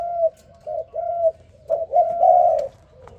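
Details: Spotted dove (Spilopelia chinensis) calling in the morning: soft, low hollow coos in a quick broken series, the last notes slurred together into a longer purring phrase.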